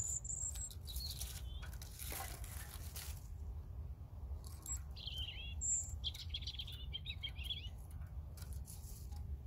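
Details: Song of a European robin, heard as scattered high whistled notes and a cluster of thin warbling, trilled phrases after a few seconds of quiet, with low background rumble throughout.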